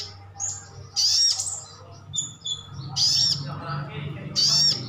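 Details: Calls of a crimson sunbird (local name sogon) in the wild 'ngalas' style, meant to make other birds reply; three loud bursts of piercing, rapidly modulated high chirps separated by short quieter gaps with soft lower twitters.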